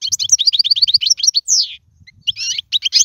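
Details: Goldfinch song used to tutor young birds: a quick series of evenly spaced chirped notes, then a long drawn-out descending slur, a pause, and a buzzy twitter to finish.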